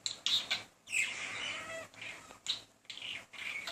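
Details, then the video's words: Courting male budgerigar chattering to a female indoors; harsh squawky notes and a drawn-out raspy warble, then short scratchy phrases. "Talking Budgie"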